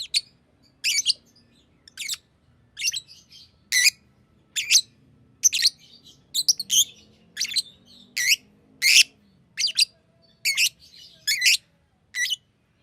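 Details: A green lovebird gives shrill, harsh chirps at a steady pace of about one a second, each note a brief scratchy burst, with only faint low background hum between calls.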